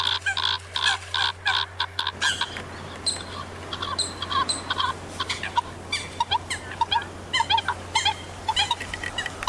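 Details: A group of Eurasian coots gives a dense, continuous chorus of clipped nasal notes, loudest at the start and then thinner, over a constant low hum.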